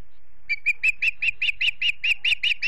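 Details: Osprey calling at its Montana nest near Charlo before sundown, one of a family: about twelve sharp whistled chirps in quick steady succession, each bright and slightly rising, growing a little louder across the series.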